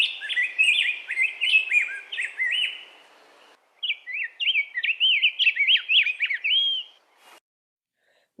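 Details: Rose-breasted Grosbeak, a migrant that stays to nest in summer, singing a sweet, rapid warble of rising and falling whistled notes like a very chatty robin, in two bursts with a short pause.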